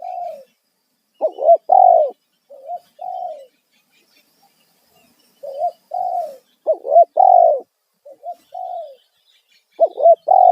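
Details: Loud lure coo of a spotted dove, 'kuk satu' style, played to attract wild birds. Throaty multi-note phrases repeat steadily: short looping notes, a drawn-out coo, then a softer pair of notes, about three phrases in ten seconds.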